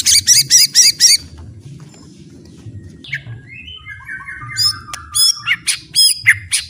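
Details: Training-song recording of a White-rumped shama: five quick buzzy notes, a quiet gap, a falling sequence of whistled slurs, then a lively burst of high ticks and warbled notes.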